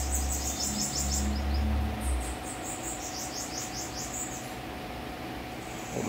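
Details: Kept bananaquits (sibite) in a home collection; bursts of high, rapid, buzzy trilled notes come in short series, over low thumping handling noise early on and a steady hum.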